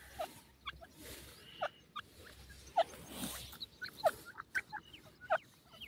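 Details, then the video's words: White pheasants give short, sharp chirping notes at an uneven pace, about one every second or so, over a soft hiss of background noise. "white pheasants bird voice, pheasants lovely sound"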